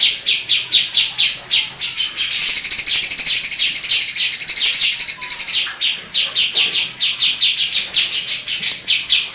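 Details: A greater green leafbird sings loudly, imitating other birds such as kapas tembak and cililin. High, pulsed chips come in quick runs. A denser, buzzier trill sits in the middle before steady repeated notes resume.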